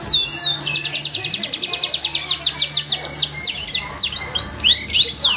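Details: Canary of F2 stock, a kicau mania show bird, singing a fast high trilled song: rapid rows of repeated sweeping notes, then varied downslurred whistles and twitters, with a low steady hum underneath.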